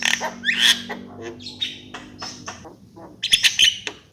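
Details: Javan myna (jalak kebo) singing: harsh, broken bursts of chattering notes and squeaky whistles, some rising, in irregular phrases with short pauses, with a low steady hum underneath.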